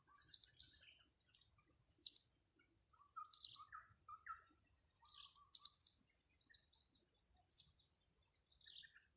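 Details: Blue-crowned hanging parrot, recorded during bird luring, repeating sharp, very high, shrill tsit notes at irregular intervals of one to two seconds, with a continuous faint high whine behind.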